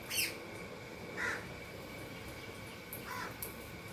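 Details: Happy Indian ringneck parakeet eating food gives three short, scratchy chirps spaced about a second or two apart, the first highest and loudest, with a constant electrical-sounding hum beneath.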